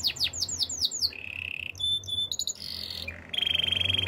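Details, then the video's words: Canary in song: a string of quick descending whistled sweeps, a lower rolling trill, short very high piping notes, a buzzy phrase and a final sustained bright trill, over a low background hum. "Super relaxing canary birds sounds"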